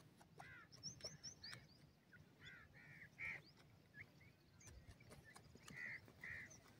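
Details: Dakhni teetar (francolin) chicks give short, nasal, slightly rising notes in irregular bursts, with thin high peeps over a steady background hiss.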